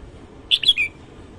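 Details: Short morning phrase from a red-whiskered bulbul: three to four quick, clear whistles with a slight downward slur at the close, over a faint hiss.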